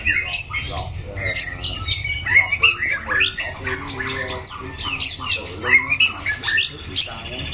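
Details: Caged white-rumped shama, a contest bird with a loud, harsh voice and strong endurance; sharp whistles, rising slurs and squawky chatter packed together, over a faint low hum.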